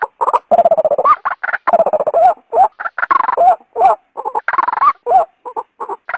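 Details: A female white-breasted waterhen gives a lure call to pull a male from its habitat. Hoarse, buzzy croaks run in quick trains, broken by short pauses and occasional upward-bending squeals.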